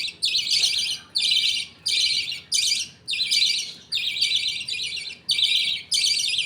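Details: Budgerigars at feeding time in a happy colony, a father feeding millet paste to his two chicks. Raspy, buzzy chirp bursts repeat at a steady pace, roughly one every second, separated by tiny gaps.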